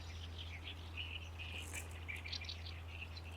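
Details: In May among reed beds beside Lake Biwa, a great reed warbler sings loudly: short grating syllables strung together quickly, with some higher chirps mixed in, over a continuous low hum.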